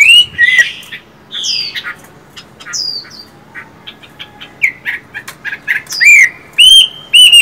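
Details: Caged Chinese hwamei from a pair of singing and fighting types kept in one house. Scattered whistled notes and falling slurs with quiet gaps, building into louder rising whistles at the close.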